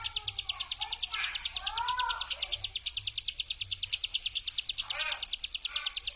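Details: Hill prinia lure song in the brem style: an unbroken, fast rattle of sharp high notes, steady in pitch and rhythm. Fainter mid-pitched chirps and slurred calls from other birds appear in between.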